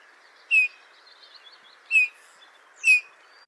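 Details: A Eurasian Bullfinch sings its simple, quiet song: three soft, piping, slightly falling notes spaced one to two seconds apart, mournful in tone, over a steady background hiss.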